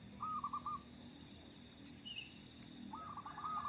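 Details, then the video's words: Zebra dove of a local strain in full song, suitable as a lure bird: two brisk phrases of soft stuttering coos separated by a pause, a faint higher chirp between them, steady hiss behind. "burung perkutut lokal gacor cocok buat pancingan"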